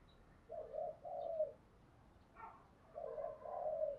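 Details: Spotted dove cooing faintly through steady background hiss, with two pairs of low, mellow coo phrases and a brief higher note between them.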